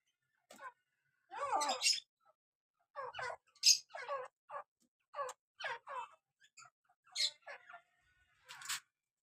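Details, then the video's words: A breeder pair of Dakhni partridges (teetar) gives squeaky, harsh chattering notes in uneven bursts, some rising and falling, spread over about nine seconds in a quiet room. "Dakhni teetar bredar pair bht he beautiful sound"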